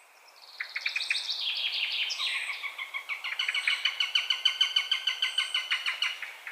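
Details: Eurasian sparrowhawk calling: a rapid, slightly uneven run of harsh, nasal, stacked notes, about three per second, rising in intensity and continuing steadily to the end, with thin high whistles from small birds above.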